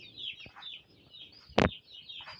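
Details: Winter brooding of broiler chicks. Their high, wavering peeps overlap in a steady chorus, broken halfway by one loud sharp clack.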